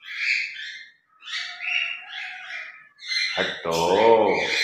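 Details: Pet grey parrots chattering during their morning routine and play, bursts of raspy, speech-like syllables with brief pauses, then a lower, voice-like harmonic passage toward the end.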